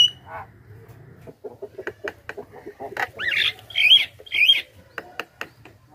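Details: Lure sound for wild Javan mynas: a quiet series of dry clicks, then three loud, wavering whistled notes roughly half a second apart, followed by more sharp clicks.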